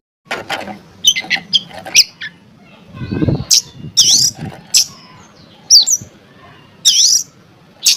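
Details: Oriental magpie-robin song, used to provoke other magpie-robins into singing: scattered bright, high whistled notes and quick swooping phrases separated by pauses, with a low murmur briefly audible in the middle.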